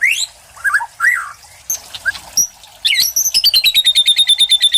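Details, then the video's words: Caged white-rumped shama, a contest-trained bird, singing rising whistles and short warbled phrases with pauses, followed by a rapid high trill of repeated notes falling gently in pitch. "MURAI PRESTASI MATERI LB CILILIN GREJA KAPAS TEMBAK"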